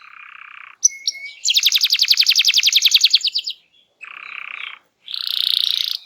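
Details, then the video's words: Canary in energetic, full-throttle song, used to prompt silent birds into singing: a buzzy mid-pitched trill, then a loud rapid rattling roll of evenly repeated notes for two seconds, a short buzzy phrase, and a high buzzing trill. "Kicau Burung Kenari Gacor Ngegas untuk Pancing Burung Diem"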